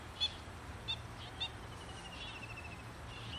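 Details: A Black-winged stilt in a wetland gives three sharp, high yelping notes about half a second apart, then fainter, softer calls, over a low rumble of wind.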